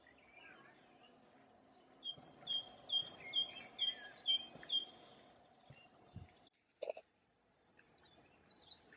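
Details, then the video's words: A great tit sings in April 2020 at Friedhof am Perlacher Forst, a cemetery in Munich. It gives a quick run of bright two-note phrases, repeated about eight times, over a steady low hum, with faint calls from other birds. "Kohlmeise (Great Tit)"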